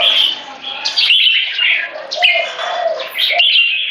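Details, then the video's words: Rival caged Red-whiskered Bulbuls, competition birds aged 3.5 and 7, in a territorial battle of butir frequency singing and gaya display; busy overlapping whistled and chattering phrases, fast and unbroken, with a faint lower murmur beneath. "BATTLE FOR DOMINATION Part 1 - Reference video on how jambuls choose their weapons"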